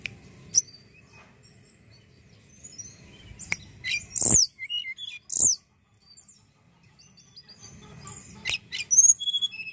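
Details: Juvenile tledekan singing, used as a lure to get other birds singing: sharp high chirps and thin whistled phrases in scattered bursts, including a loud burst near the middle, with quiet gaps and low background rumble.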